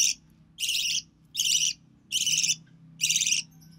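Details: Young recessive pied budgie, the only one of three hatched chicks to grow up, hatched early June 2020, with its mother feeding it: five broad, scratchy rasps spaced evenly, each roughly half a second long.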